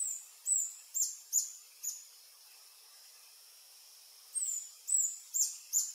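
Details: Adult male Reddish Hermit singing on its lek in French Guiana, March 2024 afternoon, Panasonic FZ300 recording: four thin, very high squeaky notes about half a second apart, a silent gap, then four more.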